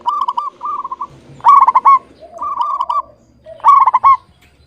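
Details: Local zebra dove, a lively, clear-voiced singer kept as a songbird, cooing: soft rolling trilled phrases alternating with louder stuttered coos ending in a higher note, four phrases in under five seconds.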